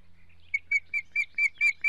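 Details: Osprey chicks aged one week in an Estonian nest, June 17, 2017, during a dominance struggle: a rapid series of loud, high, sharp chirps, about four per second, growing stronger, over faint low hum.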